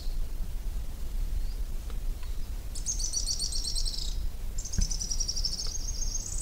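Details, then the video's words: Araucaria tit-spinetail singing: two high, fast, buzzy trills, the first about a second and a half long, the second slightly longer and steadier, over a constant low outdoor rumble with a few faint chirps before. "Magnífico Canto!! Pássaro Grimpeiro"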